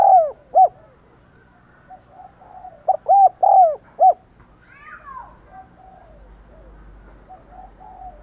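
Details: Lure spotted dove calling to attract wild doves: two bursts of deep, rounded coos, then a faint higher note and quiet, drawn-out cooing in the background.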